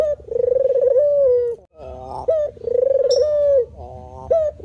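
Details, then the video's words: A white-plumaged spotted dove repeats low, rattling, pulsed coos about a second long, each separated by a short upward-sliding note; a faint high chirp briefly overlaps midway. "suwara burung terkukur putih"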